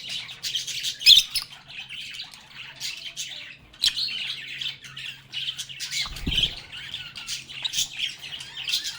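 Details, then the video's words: Group of lovebirds singing, playing and talking together, giving continuous high chattering and chirping with sharp squeaky accents, over a steady low electrical hum and a brief thump near the sixth second. "Lovebirds agapornis sounds | Relaxing Sounds of Singing, Playing, and Talking Parakeets"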